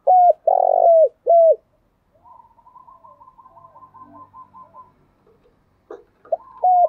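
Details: Deep spotted dove coo, sung in the morning in the 'thổ đặc' voice style to lure other doves: a short note, a long coo and a clipped end note, then faint rapid repeated notes and another phrase beginning.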